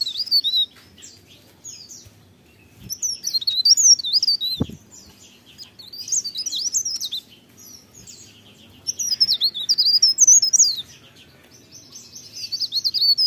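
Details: Lively morning singing from a leaf warbler, with several bursts of high, rapid, jumbled twittering and squeaky warbles separated by brief pauses, plus a sharp click once.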